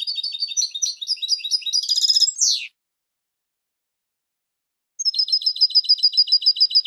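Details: Goldfinch song for teaching fledgling goldfinches: a jumbled twittering phrase rising into a dense burst and harsh downward buzz, a pause, then a regular fast trill of bright notes.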